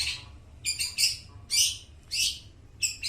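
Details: Long-tailed shrike song meant to lure and train mute shrikes: high, rasping chattered notes in quick groups of two or three, about every half second, clear over faint background.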